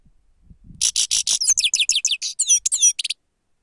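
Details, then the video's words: Grey-crowned goldfinch used as a lure: a rapid run of about twenty buzzy, twittering notes, harsh at first, then turning into liquid slurred chirps, ending abruptly. "седоголовие щегол сава"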